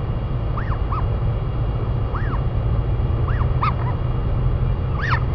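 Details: Royal albatrosses in New Zealand, both parents feeding a chick; soft arched up-and-down notes recur about once a second, some doubled, over constant low wind noise.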